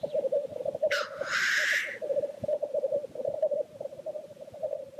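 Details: Continuous low rolling bubbling of black grouse displaying at the lek, with a single loud harsh hissing sneeze near the start lasting about a second.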